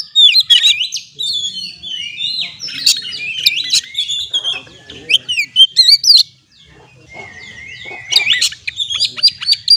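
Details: Oriental magpie-robin song for coaxing stressed birds to sing: energetic rapid twittering and sharp whistles, a brief lull, then a long drawn whistle followed by more chirps.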